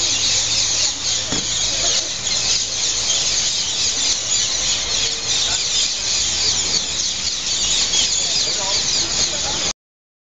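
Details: Evening roost of hundreds of green parrots squabbling over places in trees by Heidelberg's main station square; constant loud, high-pitched screeching from the whole flock with no pauses, faint low rumble beneath.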